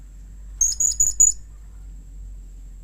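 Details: Blue-crowned hanging parrot giving a call said to draw replies from other hanging parrots: four brief, shrill, high-pitched chips in quick succession, then quiet with a soft low hum.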